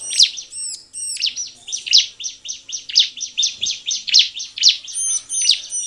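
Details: Bar-winged prinia singing steadily, played to prompt other prinias to sing. Rapid rhythmic high chirps pulse several times per second, with runs of clear, ringing, bell-like notes at the beginning and end.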